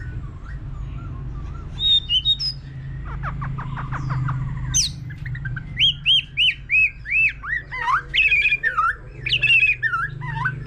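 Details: White-rumped shama, mature and wild-caught, sings many voices in a competition bout with a laughingthrush nearby. Soft whistles and a quick ticking series lead into loud repeated whistled phrases, over a low hum.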